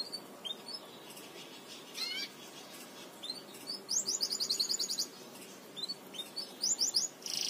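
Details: Belgian canary song meant for teaching canaries to sing: scattered high chirps and short rising notes, then a fast trilled tour of rapidly repeated notes, a pause, and another quick burst of rolling notes, over a soft steady hiss.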